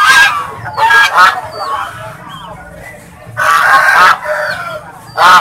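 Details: Swans kept as pets honking: loud, blaring nasal calls at the start, middle and end, with softer murmuring and thin high squeaks in between.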